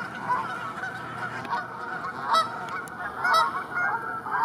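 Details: Group of Canada geese grazing on pasture in northern France, giving loud, harsh honks that rise and fall, about one per second, with several birds calling over one another.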